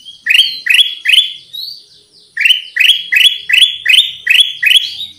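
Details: Vigorous lure song of the kutilang emas (Black-crested bulbul), with three loud sweeping chirps, a short break, then a run of seven evenly spaced rising notes, about three each second.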